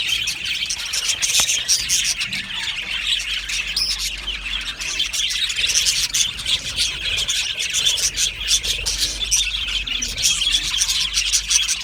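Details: Australian budgie aviary colony, heard as a long, dense babble of shrill chirps, clicks and warbles from many birds, continuous and evenly loud throughout.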